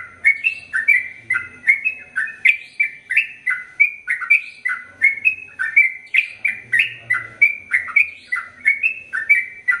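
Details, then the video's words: Sooty-headed bulbul in a long, vigorous song run meant as tutor song for males and females: clear, chirping whistles in a rapid even chain, each note swooping, with faint low background sound at times. "Trucukan Gacor ROPEL PANJANG Untuk Masteran Burung Trucukan Jantan Dan Betina Biar ROPEL PANJANG"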